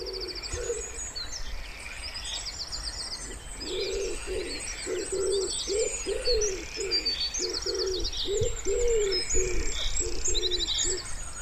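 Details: A common wood pigeon by a pond in spring gives a steady run of low, soft coos in a repeated phrase, while high chirping and trilling birds carry on in the background.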